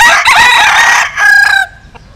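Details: Loud, full-throated crow of a bantam rooster bred from a Japanese bantam hen and a Cuban cock: one long, strained note breaks briefly, then ends in a shorter falling tail and gives way to quiet.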